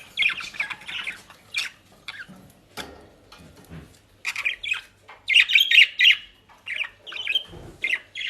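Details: Pet budgerigars in the Netherlands pecking at shop-bought dry leaves and grass; scattered raspy chirps early, then a louder dense stretch of warbling squawks and chatter, with rustling and a low thump near the end.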